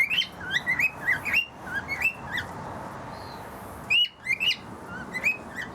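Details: Male cockatiel sings to a female Turquoisine parrot that is trying to hatch eggs in a nesting box, which he thinks are his, with a run of short, bright whistled chirps that rise and fall, with brief pauses.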